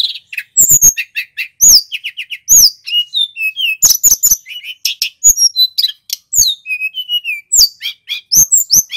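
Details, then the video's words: Male little pied flycatcher from Banyuwangi, in full song for use as a master and lure recording: loud, clear, high phrases mixing sharp downslurred whistles, fast chirps and short trills, delivered almost without pause. "Tledekan gunung (SULGUN) GACOR | Suara masteran & pancingan terbaik burung SRDC / Sikatan rimba"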